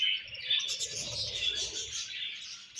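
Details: Budgerigars exchanging food, chirping in a short continuous stream of high, scratchy warbling notes with a few clear whistled tones.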